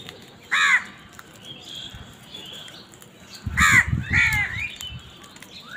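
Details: Hoarse, rasping caws from crows in a fight for food: one call, a pause of about three seconds, then two caws close together over low thudding sounds.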